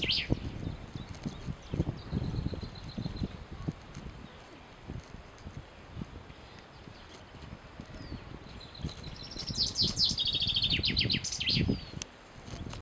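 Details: Male common chaffinch song: a faint short phrase early on, then a fuller run of quick notes descending in pitch and ending in a brief flourish, amid steady low background noise and knocking sounds.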